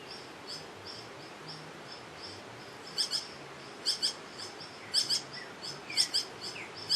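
Green Hermit giving sharp, high chipping notes, single or doubled, about once a second, over a faint steady high hum of other birds or insects.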